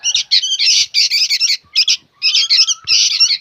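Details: Loud, buzzy, continuous squawking from young sooty-headed bulbuls, dense harsh bursts broken by brief gaps, with a faint whistle underneath.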